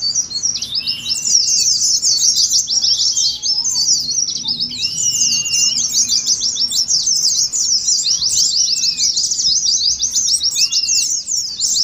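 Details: Dense Oriental white-eye twittering in the 'ngeriwik' style, used to simulate a contest and lure birds to sing; tumbling high chirps run nonstop, with occasional lower drawn-out whistles.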